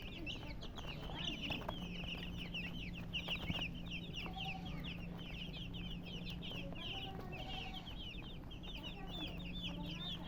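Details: Colour chickens chirping: a dense chorus of high, short, downslurred peeps overlapping throughout, from several birds at once, over a steady low hum and scattered clicks.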